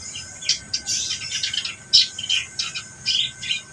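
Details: Reed warbler singing actively: harsh, scratchy chattering bursts of high notes, short phrases tumbling one after another with brief gaps, loudest near the two-second mark, over a faint steady hum.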